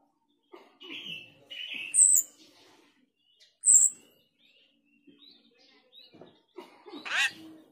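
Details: Lure recording of a female grosbeak starling: scattered short calls, two mid-pitched rasping notes followed by two sharp very high squeaks, then a softer rising harsh note near the end.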